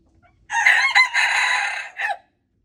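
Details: Wild red junglefowl rooster, February 26, 2025, giving one loud raspy crow: a rough opening note, a long even hoarse middle section, and a short dropping final syllable, with near silence around it.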